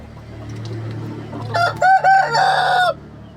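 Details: Rooster in the coop delivers one crow broken into short rising bursts, then a longer held final note, over a faint low background hum.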